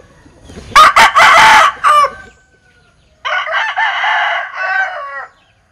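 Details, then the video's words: Linh Kê chicken with an unusual, strange crow gives two loud, harsh crows: the first in broken bursts ending abruptly, the second a longer wavering phrase after a short pause. "Tiếng Gáy Độc Lạ. Gà Linh Kê/ Strange Crow Sound"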